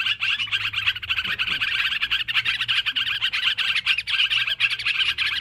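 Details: Noisy sooty-headed bulbuls in a bird-luring recording: unbroken chorus of sharp twitters and short whistled notes, dense and even throughout, a faint low hum beneath.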